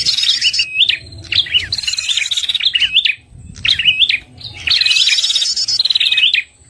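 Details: Red-headed prinia lure call for trapping: clustered upslurred chirps in several phrases, some with a fine buzzy trill laid over them, gaps of near silence between phrases.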